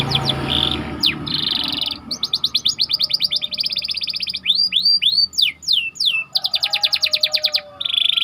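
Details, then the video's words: White canary singing a tight rolling song meant for teaching other canaries: buzzy bursts, fast runs of short repeated notes, and a series of rising and falling swoops. "Burung Kenari Ngerol Rapat 🔻 Cocok Untuk Masteran"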